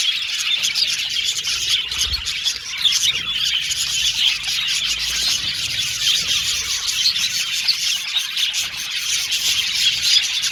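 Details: Many Australian budgerigars chattering contentedly, an unbroken high-pitched mass of twitters and scratchy chirps with occasional sharper squeaks rising above the flock noise.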